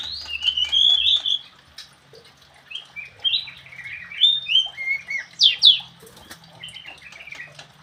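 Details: Javan cochoa: a series of short, clear whistled notes, some rising and some falling, spaced irregularly. Two sharp upward-swept squeaks come near the end, then quieter chatter.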